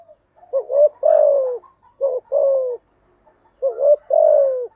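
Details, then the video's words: Spotted dove singing to encourage newly caught doves to sing; three phrases of two short rising coos and a longer falling coo, evenly spaced with brief silences. "tiếng chim gáy dùng tập chim bổi mới hiệu quả/ tiếng gáy kích bổi gáy ngay"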